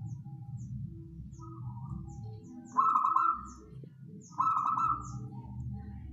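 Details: Wild local zebra dove singing a trapping-lure song: two loud, rolling, vibrato coo phrases about a second and a half apart, each lasting under a second, with faint low background hum.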